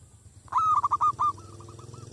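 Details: Zebra dove kept as a decoy against wild doves, breaking from near quiet into a strong, gravelly rolling coo of four pulses that tails off into a string of quieter hooked notes, over a low hum.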